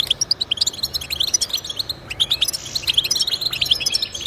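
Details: European goldfinch song meant to encourage pet goldfinches to sing: rapid, liquid twittering of high chirps and short trills, with brief buzzy notes, continuous over a low background hiss.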